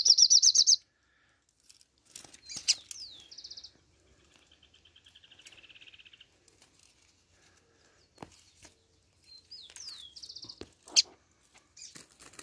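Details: Coleiro (double-collared seedeater), described with the tui-tui song style: a buzzy high trill, then downslurred whistled notes and a short rapid note series, a lower even buzzy trill, and sharp clicks between phrases.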